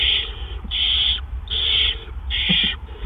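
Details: Great Horned Owl giving harsh, hissing screeches, about three in three seconds, each over half a second long, against a low rumble, at 1:43 AM on April 10, 2013, when a gopher was delivered.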